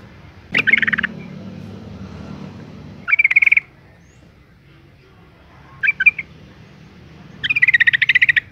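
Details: Female yellow-vented bulbul calling to provoke males: four spaced bursts of fast, buzzy chattering, short double notes in between, over a soft low background hum.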